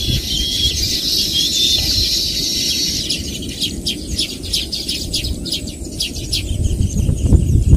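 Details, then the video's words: Baya weaver birds calling in a flock: dense, high, buzzy chattering and rapid wheezy notes for the first few seconds, then scattered sharp chips, over a steady low rumble of background noise. "தூக்கணாங்குருவியின் ஓசைகள் | Sounds of Baya Weaver Birds"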